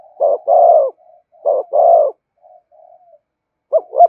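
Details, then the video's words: Thúc gù coos of a spotted dove, used to stimulate decoy birds: two soft double coos with faint trailing murmurs, a pause, then a short clipped pair of notes. "Tiếng cu gáy thúc gù"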